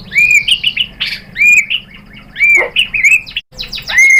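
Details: Female white-rumped shama calling the male: quick phrases of arched whistles and slurred notes, with a harsh noisy note midway and a brief gap before a final upswept whistle.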